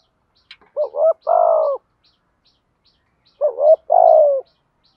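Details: Decoy spotted dove cooing to lure wild doves: two phrases about two and a half seconds apart, each a wavering rising hoot and a longer descending coo, faint steady ticks behind.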